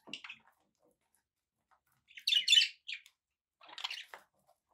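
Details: Kept budgies chirping in three bursts: an opening short squeaky call, then a loud buzzy warble, then a softer chattering phrase, with quiet gaps between them.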